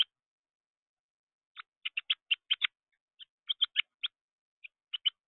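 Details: Juvenile Carolina wren at a feeder, excited and flapping: irregular strings of short, grating chatter notes, about two to four per second, with short pauses between groups.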